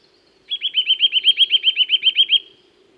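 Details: Eurasian nuthatch in woods giving a rapid, even series of about fifteen sharp rising whistled notes lasting nearly two seconds, loud and clean against a quiet background with a soft low drone.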